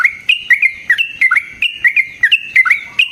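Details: Yellow-vented bulbul in a long fighting song meant as a lure and training model: quick, bubbly, warbling phrases repeated almost without pause, notes flicking up and down.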